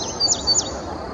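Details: In early May 2019 at Sandy Bottom Nature Park, Virginia, a male indigo bunting sings from a treetop. Two quick pairs of high, slurred chirps each drop and then rise, followed by soft background noise.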